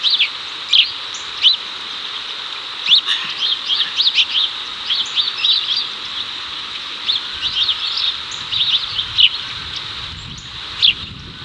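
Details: House sparrows in Chicago during 2024, the male calling his mate over while they catch cicadas; frequent sharp chirps in irregular clusters throughout, over a constant high-pitched hiss.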